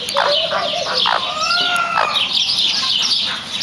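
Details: Chicken vocalising: short clucks, then a long rising and falling drawn-out call, followed by more clucking and squawks over busy background noise.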